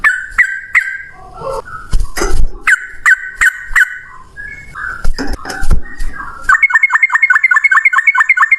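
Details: Yellow-vented bulbul singing ropel style, a long single-breath volley, at strong volume. Scattered bubbly notes and clicks give way in the last two seconds to a fast, even rattle of chirping notes repeated many times a second.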